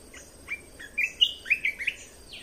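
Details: Caged red-whiskered bulbul singing a training song meant to teach young birds and excite other birds: a quick run of bright, liquid whistled notes rising and falling, each note short and clear, over a faint steady hiss.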